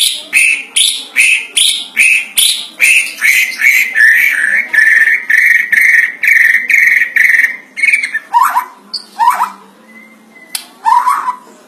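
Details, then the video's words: Oriental magpie-robin singing loudly, used to lure other magpie-robins; long run of rapidly repeated buzzy whistled notes at a steady mid-high pitch, ending in a few separate downward-swooping calls. "murai batu bersuara kera Real 100 % MANTUL buat pancingan murai"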